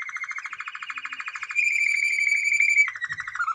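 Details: A singing male canary gives a quick pulsing roll of repeated notes, shifts into a pure, sustained whistle, then drops abruptly into a lower, rapid trill near the end.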